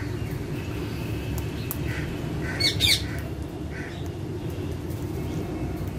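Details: Green parrots: a short, harsh squawk bursts out once near the middle, with a quieter rasping note just before and a faint call after, over steady low indoor hum.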